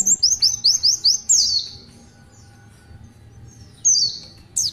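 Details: An Oriental white-eye delivers a short run of high rising chirps and a slurred falling phrase, then falls quiet for over two seconds before a final squeaky high note in the tulitwitwit style.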